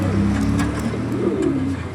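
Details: Old-bloodline deshi high-flyer pigeons giving low, throaty coos, one rising and falling near the end, over a steady low hum.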